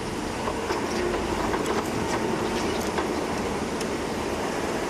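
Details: A loud, steady rushing roar, like a passing train or heavy rain, runs throughout with scattered faint clicks and no animal voice heard.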